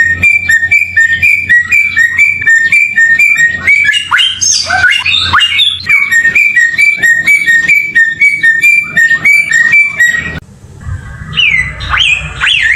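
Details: Samyong singing for songbird tutoring: a rapid, steady train of paired two-tone chirps, about four per second, broken midway by shrill sweeping squeals, then resuming before ending in rising and falling whistled slurs after a brief pause.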